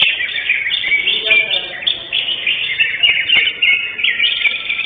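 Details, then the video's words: Greater green leafbird, champion of session 5 at the Kopdar Mahesa Jenar bird contest, 11 October 2025; a steady stream of bright, slurred whistles and fast chatter fills every second, with other birds and faint voices behind. "JUARA 1 CUCAK HIJAU JENAR"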